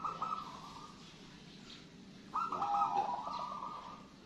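A zebra dove gives soft, rolling coos: a short burst, a pause, then a longer trilled phrase over a faint low hum.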